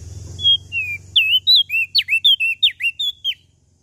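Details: Lombok prenjak daun in energetic song: drawn-out whistles falling in pitch, then a rapid string of sharp up-and-down whistled notes, evenly spaced, over a soft low hum.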